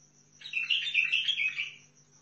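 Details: Bulbul of Basra, Iraq, from Al-Faw: one dense, rapid warbling phrase of about a second, bright and chattering, with a constant thin high tone and low hum behind it.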